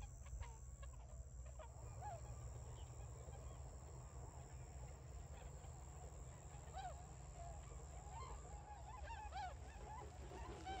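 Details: Tundra swans recorded 3 November 2022 in paddies around Ochigata, Hakui, just arrived for winter and calling vigorously; scattered honks early, then a run of clear arched bugling notes toward the end, over a low steady rumble.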